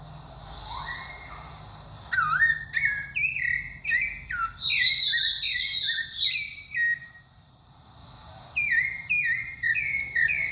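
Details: Sabiá thrush song: an opening rising whistle, then bursts of short, sharply falling whistled notes at a rapid pace, a brief gap, and another burst of similar notes.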